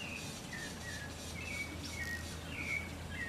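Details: Smooth-billed ani in Manu National Park, Pillcopata, Peru, recorded May–October 2007 or July 2008, giving thin, whining, rising whistles in quick succession against a steady background hiss and low hum.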